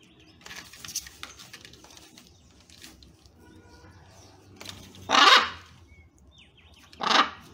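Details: Wild blue-and-yellow macaws, a family with their baby eating banana at a breakfast visit: soft rustles and faint chatter, then two loud, grating squawks near the end, about two seconds apart.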